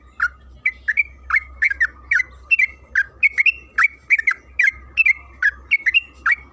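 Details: Yellow-vented bulbul (trucukan kebo) chattering in a long energetic run, played to lure bulbuls into song: rapid paired and single liquid notes, some upslurred, flowing almost without pause, with faint constant tone and low hum behind.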